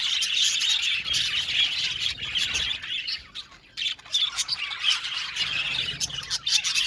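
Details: Budgerigar colony in an aviary, many birds chattering at once: dense, scratchy chirps and squawks layered into a continuous warbling babble, with a brief lull near the middle.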